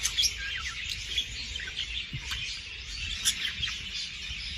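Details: Budgerigar chatter played to stimulate breeding: dense, overlapping high chirps and warbled twitters, with a few sharper squeaks standing out over a steady low background rumble.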